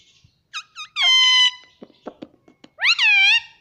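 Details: Pet Indian ringneck parrot indoors mimicking words; short squeaks, then a loud harmonic drawn-out vocalization, soft clicks and another loud rising-falling mimicked word.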